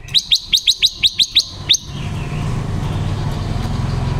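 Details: Female decoy silver-eared mesia with a wild-type voice, used to coach caged birds and lure wild ones into traps, October 2021; a quick run of nine sharp repeated chirps, then steady low engine-like background noise.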